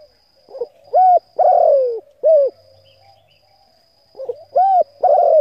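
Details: Spotted dove coo phrases meant to stimulate decoys: two full sequences, each a soft pickup note, an arched coo, a long buzzy falling coo and a brief end note, about three seconds apart. A steady high hum continues underneath.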